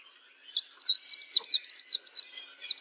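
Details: White-eye song: a fast run of about a dozen sharp, high, downslurred whistled notes, evenly repeated several times a second, clean and loud against a quiet background.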